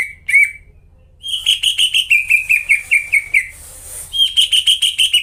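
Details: Greater green leafbird in full song, played to coax silent leafbirds into singing. A couple of opening whistles and a pause, then a fast run of downward-slurred notes, a brief hiss, and a higher repeated series, with a low hum beneath.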